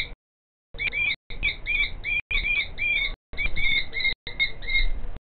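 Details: Female common kestrel calling in the background while the male works a nest scrape in front of her, afternoon of 5 July 2023. Drawn-out, wavering whining notes come in quick bursts, separated by short pauses, over a low rumble.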